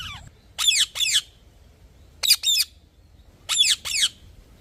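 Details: Parrot producing three evenly spaced pairs of harsh, grating squawks with quiet gaps between them.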